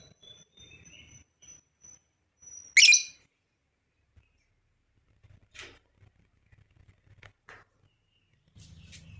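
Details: African lovebird giving a single loud, harsh shriek, preceded by faint thin whistles and followed by scattered soft clicks and chirps in an otherwise quiet setting.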